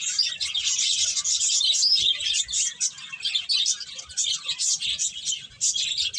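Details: Many small birds chirp together in a busy, unbroken wash of high tweeting notes, loudest at the start and then pulsing in short bursts.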